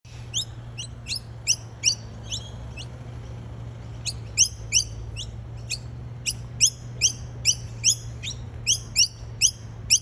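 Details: Noisy miners in eastern Australia, collecting nectar, give sharp, high chirps in quick runs of about three per second, pausing briefly, over a steady low hum.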